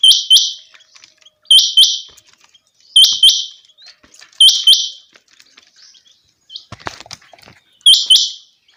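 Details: Changa quail repeating a steady double call: two sharp, high hooked whistles with buzzy tails, about every one and a half seconds, five times, with a brief burst of rustling.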